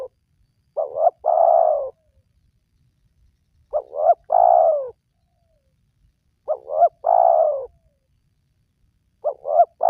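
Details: Spotted dove call used to lure wild doves: three full phrases and the start of a fourth, roughly every three seconds. Each has two brief hooting notes and then a long, mellow, downslurred coo. Background is otherwise silent.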